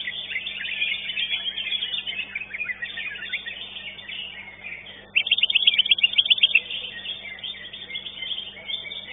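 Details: Competition-singing greater green leafbird, placed second in the contest: a continuous dense chatter of high warbled notes, broken midway by a loud burst of rapid, evenly repeated sharp chips lasting about a second and a half.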